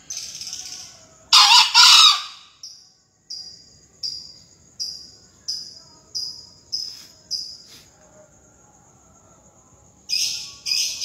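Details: {'caption': 'Crowing contest entry from 2020, green junglefowl: a loud, rough two-part crow early on, then a run of short high piping notes, and more harsh bursts near the end.'}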